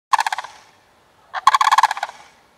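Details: Pair of sandhill cranes, a male and a female, jumping about and frolicking early before mating season: two bursts of loud, rolling, rattled bugling, each about half a second of rapid pulses, with quiet between.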